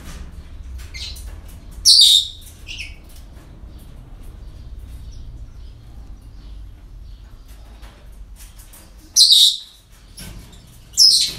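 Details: Parrots at a breeding centre on an ordinary day: three loud, harsh, high screeches spaced several seconds apart, with faint softer chirps and clicks between them over a low background hum.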